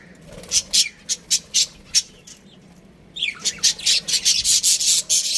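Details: Breeding pair of pet budgerigars chirping: bursts of short scratchy high chirps repeated about every half second, pausing, then a denser run of noisy chirps, with faint background hum.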